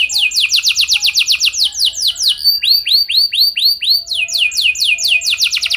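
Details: Lure canary song, an elaborate melody played to make canaries respond: fast falling sweeps, a passage of slower ringing down-slurred whistles, then rapid sweeping notes again.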